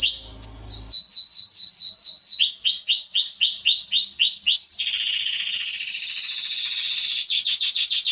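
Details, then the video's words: Atlantic canary song intended for training young birds: after a brief whistle, rapid repeated downslurred notes in stepped runs, then a long rolling trill and a closing series of quick high notes. "CANARY SINGING - Serinus canaria | كناري | canarios"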